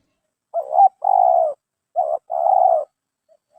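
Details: Captured spotted dove, picked for its voice and build to be kept in a cage, gives two low hollow coo phrases. Each is a short clipped note followed by a longer, slightly falling purr, with quiet around them.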